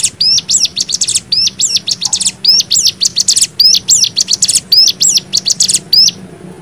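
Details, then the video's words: Cigun (lemon-bellied white-eye) in continuous 'nembak' song meant for tutoring caged birds: bright high hooked notes and rapid trilled bursts repeated steadily about once a second, ending abruptly, over a soft low hum. "MASTERAN CIGUN NEMBAK 6 VARIASI"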